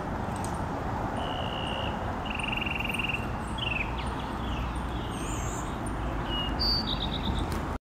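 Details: Eastern towhee singing in Oxford, Mississippi, on a cloudy, gently rainy 50°F morning, 5 February 2020: two quick, even mid-pitched trills about a second apart, then a few sliding notes and high chirps, over steady rain hiss.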